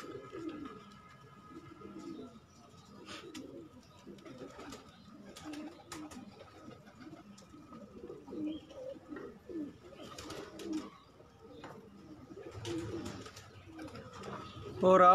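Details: Several pigeons kept as a hobby coo together in overlapping low, throaty rolling phrases that continue without pause, with scattered clicks and flutters and a louder burst at the end.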